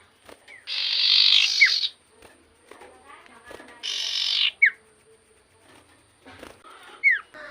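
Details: Common iora, singing hard: two loud buzzy rasps, each ending in a quick downslurred whistle, then a lone falling whistle after a pause.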